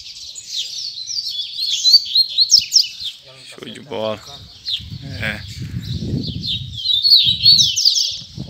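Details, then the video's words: Double-collared Seedeater (coleiro) in its 2019 closing puxada singing session, pouring out rapid high twittering phrases while a human voice speaks briefly in the middle. "Ultima Puxada De Coleiro 2019!!!"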